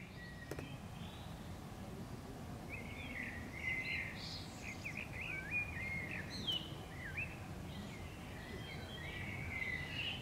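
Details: Wild Common Swift (Apus apus) in summer, clinging to a neighbouring house wall near nest boxes being inspected before a pair nested; shrill, buzzy, trilling screams repeated from about three seconds onward over low rumbling background noise.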